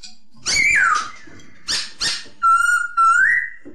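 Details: Masked laughingthrush song: a loud falling whistled slur opens, then two short harsh bursts and two sustained clear whistles, the second rising at its close.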